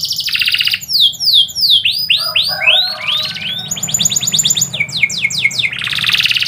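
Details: Canary song recorded at midday, a varied string of fast rattling trills and sweeping downslurred whistles in quick succession, with a low background hum.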